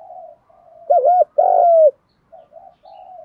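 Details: Spotted dove cooing, used to provoke wild doves to coo: soft low hollow coos, then two loud notes, a wavering double coo and a long steady drawn-out coo, followed by quieter coos; clean background.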